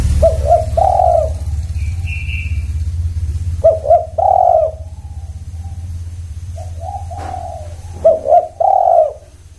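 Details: Spotted dove giving repeated coo phrases about every four seconds, each with two quick clipped notes and a drawn-out hoarse coo. A brief high whistle sounds once, over constant low rumble.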